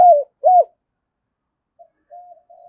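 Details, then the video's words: Spotted dove coo fragment used to lure wild doves: two short hollow arched notes in quick succession, then quiet, with a few soft faint notes at the end. "Chim cu gáy kích bổi nhanh nổi nhất hiện nay, gáy gọi bổi"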